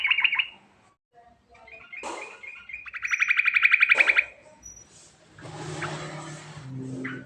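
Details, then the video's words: Lure recording of a sooty-headed bulbul calling in rolling 'ngerol' style with filler: brief chirps and scattered notes lead to a loud fast trill of evenly pulsed notes lasting about a second, followed by a broad noisy rush with low hum. "Panggilan Burung Trucukan"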